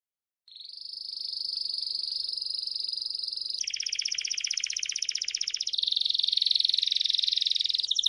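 A Belgian canary sings a continuous, high, rolling trill that shifts to a new rapid rattling phrase every two or three seconds, with no other sounds.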